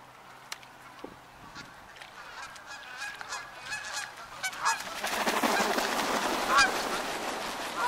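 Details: Wild geese arguing and chasing each other away while fighting over a puddle; faint scattered honks build into a loud, dense chorus of overlapping harsh honking calls in the second half.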